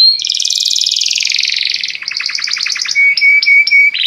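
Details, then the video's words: Belgian canary song, used to get other canaries singing: a fast buzzy high trill sliding downward, then a lower rattling trill, then short repeated whistled notes on one steady pitch, ending in a rising note. "O canto do canário belga faz com que seu canário cante sem parar"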